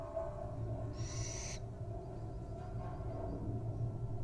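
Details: Wild owl nestling resting and dozing off, giving one short, harsh, rasping hiss of about half a second over a steady low hum.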